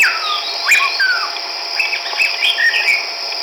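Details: A Chestnut-backed laughingthrush (Pterorhinus nuchalis), recorded 17 March 2010 in Hukaung Valley wildlife sanctuary, Kachin State, Myanmar, sings clear, slurred whistles, some falling and some rising, mixed with short chattering notes over a steady high insect drone.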